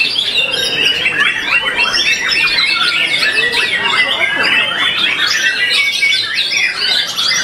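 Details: White-rumped shama, a productive breeding hen from a captive breeding farm, competing at a song contest where it took second place; dense, rapid torrent of varied chirps, whistles and trills crowding the upper range, continuous throughout.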